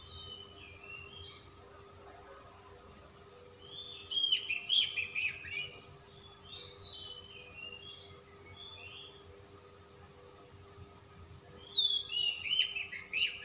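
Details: Kacer, or Oriental magpie-robin, described as a calm 'dingin' type in persistent full 'ngobra' song with rich 'isian' fill: soft whistled phrases between two loud bursts of quick, varied, high twittering notes near four and twelve seconds, with a faint constant hum.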